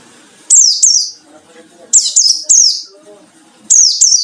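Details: White-eye song used as a lure for rivals: loud, high, falling slurred notes in groups of two or three, repeated every second or so, over a faint low background murmur.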